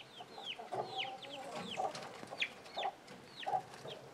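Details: Chickens with young chicks: a short drawn-out cluck, then sharp low clucks about every second, mixed with thin descending peeps from the chicks.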